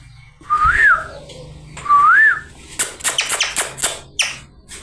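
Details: Talking parrot whistles twice, a smooth note that climbs and falls, then breaks into a string of rough, noisy screeches and short harsh bursts.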